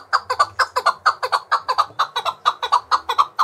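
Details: Chukar partridge, trained to fight and sing against other partridges, delivering a fast, even series of loud, husky chuk notes, often in doublets, about six per second.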